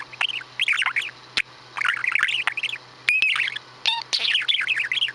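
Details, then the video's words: Chattering warble from a pet male budgie, about five years old, doing his usual imitated farty noises: tumbling squeaky notes with sharp clicks and a brief clear whistle near the end. "Who's Making Farty Noises?"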